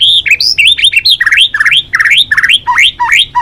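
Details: Rapid, continuous white-rumped shama song of the balak 6 type, used to lure birds: quick rising whistled notes repeated about three times a second, rich and varied.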